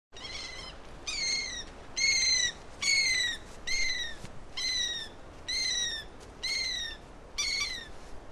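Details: An Andean gull in Peru gives nine harsh, nasal, slightly falling calls, about one a second, over a low steady background rumble.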